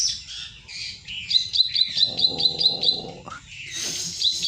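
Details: Ciwah song meant as a lure or master bird: high chirps then a run of about eight quick sharp whistled notes, a lower buzzy chatter under them, over a constant low hum.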